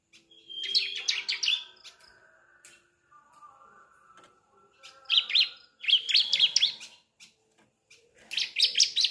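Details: Fledgling Sunda streaked-tit (ciblek) learning its song, played to get adult birds singing: clusters of fast high chattering notes at the start, middle and end, separated by quieter gaps with faint low humming tones.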